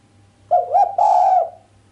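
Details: Single sharp coo from a female island collared dove, without the usual 'kuk' ending, said to stir the male: two clipped notes and a sustained tone lasting about half a second, low hum in the background.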